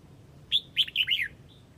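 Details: A single flock call from a Huế Red-whiskered bulbul: a sharp whistled opening note, then three rapid slurred notes that dip and rise, ending with a soft trailing whistle, over faint low hum.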